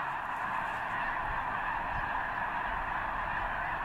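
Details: Snow geese crowded in a large gathering at Potholes Reservoir, east end, before travelling north to arctic breeding grounds; a blanket of mixed honks and yelps from many birds, with a few soft low thumps below.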